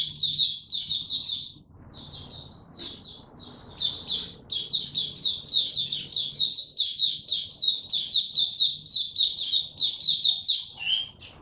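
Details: Maturing song of a male white-eye, recorded 9 February 2022: scattered high chirps at first, then a long rapid run of sweet, sliding twitters that grows louder and denser, over a faint low hum.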